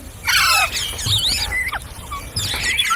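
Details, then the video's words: Several green parrots calling, with harsh squealing squawks in bursts at the start and end and a few thin whistled notes in between. "Beautiful Green Parrots Talking | Funny Parrot Sounds"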